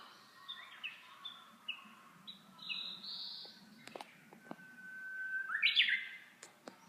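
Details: Japanese bush warbler giving its hō-hokekyo song: a long steady whistled note that ends in a loud, quick rising-and-falling flourish. Other birds chirp sharply earlier in the recording.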